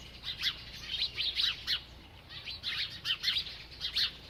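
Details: Busy chirping from a feeding bird, with quick high tweets in tight groups of two to four and short gaps between groups, over a quiet background hum.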